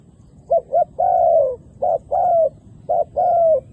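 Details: Decoy dove cooing to bring wild doves, females and males, down to the ground. Each phrase opens with two quick short notes, then a long sliding lower coo, repeated three times with brief pauses.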